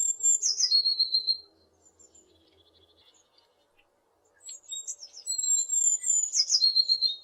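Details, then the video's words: West Polish recording of a tit, made with a Zoom H6 and RODE NTG4: a thin high trill ends, a quiet gap follows, then a fresh phrase builds from scattered notes into a shrill trill falling to a lower one. "Bird (tit) Sound"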